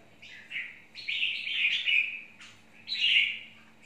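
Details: Red-whiskered bulbul (chào mào mộc) giving a soft opening note. It is followed by a long, rich warble that rises and then slides down, and later a second loud phrase. A low hum runs throughout.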